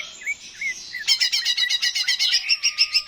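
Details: Greater green leafbird song meant to spur birds into singing: a few soft looping whistles, then a sudden loud run of rapid sharp repeated notes, roughly five per second, bright and high.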